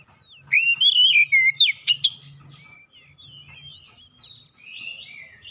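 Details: Kacer, the Oriental magpie-robin, sings a burst of bright whistles and sharp chips for two seconds, then softer, thinner warbled notes trail off. A low steady hum runs underneath. Used to coax a mute bird into full song.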